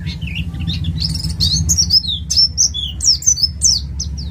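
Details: East Java ngalas white-eye singing, suited as a lure to prompt other birds: a lively run of high, sharply slurred chirps and twitters that grows denser toward the end, steady low rumble underneath.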